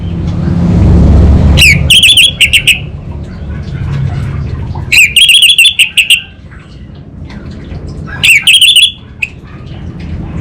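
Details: Caged orange-headed thrush from Singaraja, North Bali, in continuous 'kabel konslet' singing meant to prompt other birds to respond. Three short bursts of rich, quick whistles and trills are separated by pauses, with a low hum underneath.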